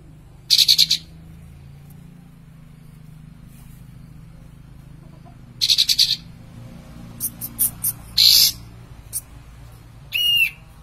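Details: Sooty-headed bulbul in lively song with tail fanned: short, rapid bursts of bright, chattering notes, separated by silent gaps of several seconds, with a few thin single notes and a ringing rising phrase near the end.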